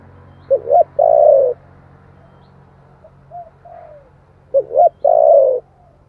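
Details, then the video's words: Spotted dove in giọng thổ song style, recorded to draw in wild doves. Two phrases of double hoots and a long mellow coo are separated by quiet murmured notes, over a steady low hum. "tiếng chim cu gáy giọng thổ chuẩn kích bổi nhanh nổi"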